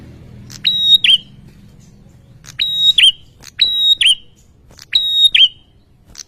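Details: Ashy tailorbird calling agitatedly in response to a lure sound: paired notes, each a steady high whistle followed by a sharp twisting flick, repeated in bursts roughly every second, with a faint low hum early on.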